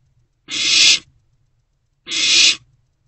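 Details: Owlet in a nest box at night, around 1:22–1:30 am on 3/16/24, swallowing a newly delivered rodent. It gives two harsh, broad hissing rasps, each about half a second long, about one and a half seconds apart, with near silence between.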